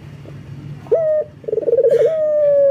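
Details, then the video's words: Amorous male local collared dove calling a female: a crisp opening coo, a gap, then a fast pulsing roll that smooths into a long held note. A faint low rumble runs underneath. "BURUNG PUTER LOKAL JANTAN BIRAHI MEMANGGIL BETINA"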